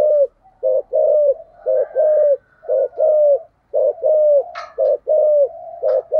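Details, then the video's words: Decoy spotted dove cooing in the 'thúc gù', 'giọng sấm thổ' style: steady low hoots grouped in twos, a short note then a drawn-out slightly falling note, repeated roughly every second with a faint higher tone behind. "cu gáy giọng thổ/ cu gáy thúc gù giọng sấm thổ"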